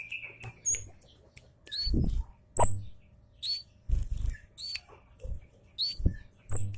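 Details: Loud Javan munia chirps used as a lure to make other birds answer: sharp, high, upward-flicked notes given singly about every second, each paired with dull low knocks and thuds.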